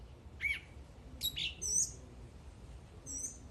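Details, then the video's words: Bird singing in short spaced bursts: sharp downslurred chirps and a high, clear whistled note, separated by pauses over soft background hiss. "The bird is singing."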